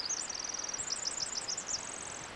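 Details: Pacific Wren on a July 6 hike near a pool and rocks, singing a very high, rapid tinkling song of quick trills and varied chips without pause over a soft background hiss.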